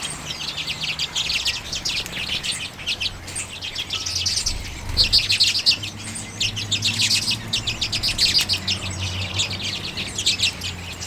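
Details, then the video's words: Common redpolls at sunflower seeds in late January 2022, recorded with a Canon EOS M50: rapid dry chattering trills of high, closely spaced notes run almost continuously, several birds calling together, faint low hum underneath. "Auðnutittlingar - carduelis flammea - common redpolls"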